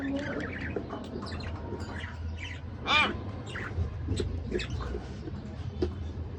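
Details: A budgerigar couple with scattered soft chirps, then one loud, harmonic, arching squawk midway, followed by more quiet, scratchy twitters over a low rumbling background.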